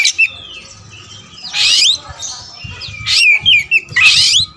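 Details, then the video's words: Black-plumaged white-rumped shama of the wulung type, a kept songbird, singing loud varied phrases: sharp rising whistles and rapid trilled bursts, with harsh buzzy notes near one and a half, three and four seconds, separated by brief pauses. "Adu spek raja kacer materi segudang kacer wulung"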